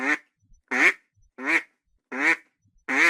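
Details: Duck uttering five single, evenly spaced nasal quacks, roughly one every 0.7 seconds, clear against silence.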